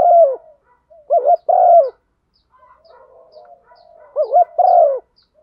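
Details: Cooing female spotted dove urging a male to call: three low two-part coo phrases, each a quick wavering note then a drawn-out falling coo, with a quiet pause between the second and third.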